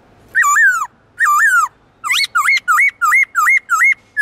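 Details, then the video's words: Kept black-throated laughingthrush in varied forest-style song: two long falling whistles, then a fast run of six bright rising-and-dipping whistled notes about every third of a second. "Khướu bạc má hót nhiều giọng kích bổi cực nhạy/Luyện khướu bạc má hót giọng rừng cực chuẩn"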